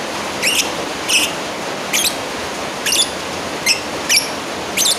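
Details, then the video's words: Lovebird summoning a rival: sharp, high-pitched squeaks spaced about every half second to second, some ending in a brief downward slur, over a constant noisy hiss. "Suara Asli burung lovebird Manggil lawan"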